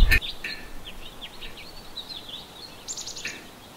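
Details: Black-capped chickadee visiting a winter feeder, giving a run of thin, high chirping notes followed by a short burst of buzzy, harsher notes near the end; a sharp knock opens the recording over faint background hiss.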